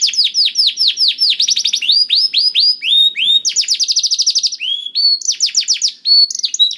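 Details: Canary song played to make a quiet canary sing: clear downward-slurred whistles repeated in quick series, changing pitch between phrases, including a rapid high rattling trill around four seconds.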